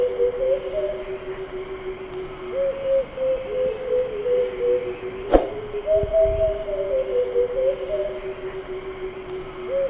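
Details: A Bay Coucal, a cuckoo endemic to Indonesia, gives its song of low, hollow hooting notes in short rising-falling runs over a steady droning hum, with one sharp click midway.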